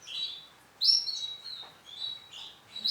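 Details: Male orange Sunkist canary gives short bursts of high, buzzy rolling trills separated by brief quiet gaps, each burst starting loud and tapering off.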